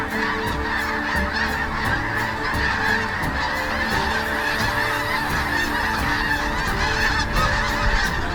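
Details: A huge migrating flock of sandhill cranes at sunset at their Platte River stopover near Kearney, Nebraska, in late February to early April, gives a dense, unbroken chorus of rolling, rattling calls from many overlapping voices, over faint background music.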